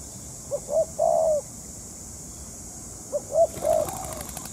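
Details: Spotted dove calling as a trapping decoy. Two phrases of quick rising coos that end in a longer, softly falling croon, with a brief rustle near the end.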